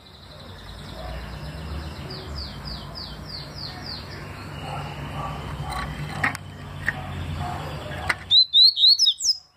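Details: Double-collared seedeater singing the tui style of song, recorded in 2020: a faint run of quick rising whistled notes early on, then a louder burst of sharp upslurred whistles near the end over steady low background rumble.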